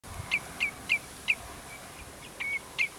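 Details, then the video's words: Common redshank recorded on 15 June 2010 at Prunjepolder, Zeeland: a series of short, sharp, high piping notes about every third of a second, then a brief drawn-out whistle and one more note, over faint background noise. "Tureluur - Tringa totanus - Redshank"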